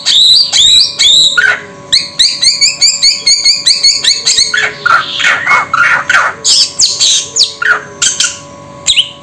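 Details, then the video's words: Samyong bird calling in a rapid run of clear, bright, harmonic notes, many repeated quickly in short bursts, some sliding up or down, over a faint steady low hum. "Suara Burung SAMYONG"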